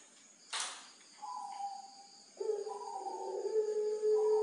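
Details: Pelung-type barbary dove, kept at a Tulungagung bird farm, prized for thick, loud, long-flowing coos: a click, then a low, sustained, mellow coo starting softly and growing stronger and longer toward the end over a constant high-pitched whine.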